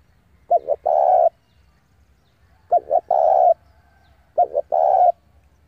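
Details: Decoy spotted dove cooing to lure rival doves in to fight: three low, mellow coo phrases about two seconds apart, each two quick short notes then one longer hollow note, in a quiet setting.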